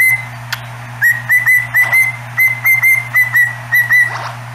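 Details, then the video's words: Pet cockatiel singing its own made-up tune in front of a cat indoors: a run of clear, high whistled notes, most rising slightly and repeated in quick groups, over a steady low electrical hum. "고양이 앞에서 비트 타는 간 큰 앵무새"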